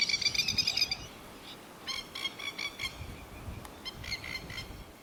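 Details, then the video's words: A plover or lapwing, one of a group with young living around a neighbourhood, gives sharp, high, ringing notes in quick bursts, about three per second, with brief pauses between bursts over a faint outdoor hiss. "Plover / Lapwing bird call"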